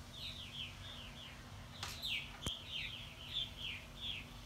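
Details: At a martin house by a lake, several purple martins dive-bomb a Cooper's hawk that is attacking a plastic decoy martin. They give quick, high, down-slurred chirps in an overlapping stream, with a low rumble and a sharp click.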